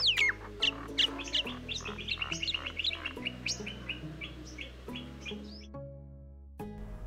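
A Common Myna gives a fast run of varied chirps, whistles and harsh notes, several each second, over a steady low musical drone.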